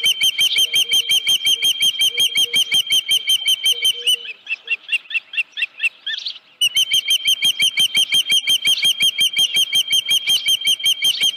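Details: Long bout of insistent, shrill whistled chirps from an osprey at the Dunrovin Ranch nest, 31 July 2018, about 9:43 AM, with a headless fish; rapid and regular, a brief softer stretch midway, then resuming strongly.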